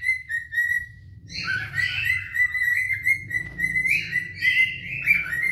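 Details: Cinnamon cockatiels, an adult pair, singing to one another in courtship: a few level whistles lead into continuous warbling with chirps, slurred whistles and rough chatter, faint low room hum beneath.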